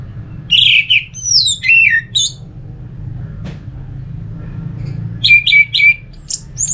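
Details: Orange-headed thrush song played to make other thrushes sing: a burst of swooping, slurred whistles, about three seconds of near silence with a single click, then a rapid series of short repeated whistled notes.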